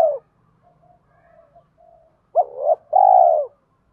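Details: Spotted dove used as a lure bird, calling in the 'thổ' voice style mixed with fight-provoking calls to draw wild doves in fast. Soft low murmurs, then a loud two-part mellow coo phrase, the second note long and drawn out.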